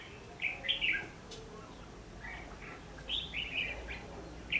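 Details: Fighting song of a red-whiskered bulbul used to draw wild birds into a trap, 14 December 2015: a bright warbled phrase, fainter scattered notes, then another phrase and a closing chirp.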